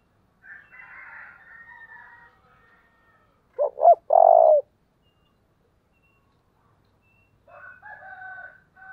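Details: Decoy spotted dove, used to lure wild birds, gives one low phrase of two short hoots and a long coo, framed by quieter chattering and whistles from other birds before and after.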